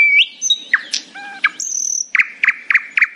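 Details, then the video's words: Nightingale singing in the morning, with mixed pure whistles, a low thin tone, a brief buzzy burst, then four evenly spaced, harsh repeated notes. "A happy nightingale singing in the morning."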